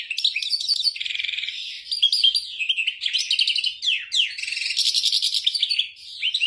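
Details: A goldfinch (wolwal) performing elaborate song notes: rapid liquid twitters mixed with buzzy trilled runs and sweeping slurred notes, delivered almost without pause in a clean recording.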